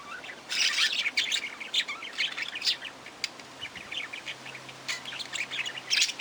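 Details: Budgerigar chatter: dense bursts of high, scratchy chirps and short warbles, overlapping and uneven, with brief quieter gaps between flurries.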